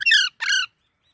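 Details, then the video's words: Two rasping squawks from a baby parrot, the first slightly longer and louder, separated by a short gap, both grating and richly layered, then quiet. "Baby Parrot Natural Sounds | Parrot Chirping Sounds"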